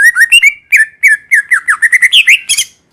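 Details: Cucak ijo, the greater green leafbird, singing in the wild: a rapid chain of clear whistled notes sliding up and down, ending in a higher squeaky burst. Nothing else is heard.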